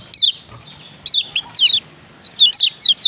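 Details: Short bout of 'ciak ciak' calling by a male Lombok lemon-bellied white-eye: high, thin slurred chirps, first single and paired, ending in a quick run of five notes.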